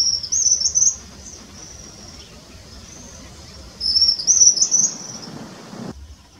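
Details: White-throated kingbird (suiriri de garganta branca) resting and singing in a reserve at Bom Jardim, southern Uberlândia, Brazil: two high, thin, sibilant twittering bursts about three seconds apart, with fainter trilled notes between and a soft outdoor hum.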